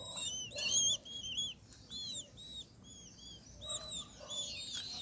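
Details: Several great kiskadees, a family feeding at a feeder in an acerola tree in Brazil, give quick arched squeaky chirps about twice a second, a loud burst of calls opening and another busy cluster near the end.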